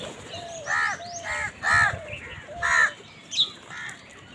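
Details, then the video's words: Crows fighting over food: harsh, nasal caws in quick bursts, about one per second, some overlapping, with a faint high chirp near the end. "Crows fight for food Crow Sound কাকের ডাক"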